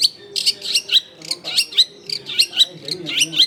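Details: Long-tailed shrike singing energetically as a lure for untamed, newly caught shrikes, in a densely populated neighbourhood: rapid, harsh high chirps and squeaky whistles, roughly one per second, with faint low background noise.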